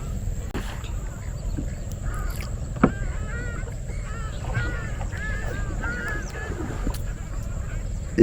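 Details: Ruddy shelducks, some flying overhead and others settled, give nasal, honking calls in short repeated bursts over a low wetland rumble at Mangalajodi in the morning.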